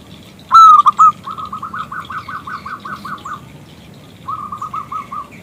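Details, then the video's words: Zebra dove, a local bird, calling to get a male singing: a loud bright double note, then about ten quick, slightly rising coos, a pause and a shorter second run. "PERKUTUT lokal Gacor Suara BESAR Kristal Memanggil JANTAN ngajak BUNYI"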